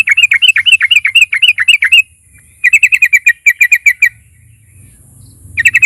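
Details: Sooty-headed bulbul, used as a lure recording to provoke other bulbuls into singing: rapid chattering notes in two long runs, a pause, then a fresh burst starting at the end.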